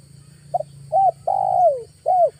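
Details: A spotted dove acting as a lure bird in August gives one cooing phrase: a quick double note, a short coo, a drawn-out coo falling away, then a crisp final coo. A low buzzing hum is heard in the background.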